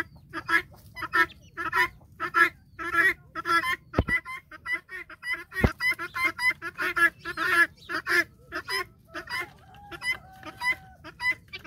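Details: Helmeted guineafowl flock on a farm, following a hen, giving loud harsh rhythmic calls, nearly two per second, with a couple of sharp clicks partway through.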